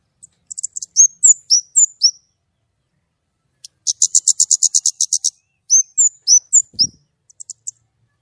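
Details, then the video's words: White-rumped shama gacor nembak song, clear-voiced: a string of bright upslurred and downslurred whistles, a pause, a rapid run of about a dozen high chips, then more slurred whistles. "kemade gacor nembak!!! suara jernih."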